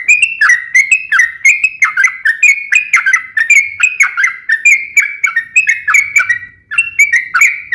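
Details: Sharp, rapid fighting song of a sooty-headed bulbul, used to provoke rival bulbuls to answer. A continuous run of clear whistled phrases, each a quick upward step followed by a falling slur, repeated steadily for the whole stretch.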